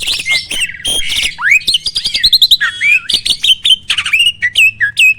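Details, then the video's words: Starling song used as a training recording to provoke rivals: harsh buzzy notes, then long swooping whistles and repeated clipped notes, alternating with rasping chatter. "MASTERAN BURUNG JALAK AMPUH!!!"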